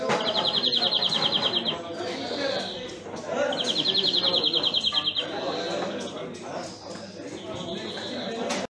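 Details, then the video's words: European greenfinch singing: bursts of fast, buzzy, rattling trills of roughly two seconds each, repeated after short pauses, over a dense background of broadband noise and murmuring. "Greenfinch Song"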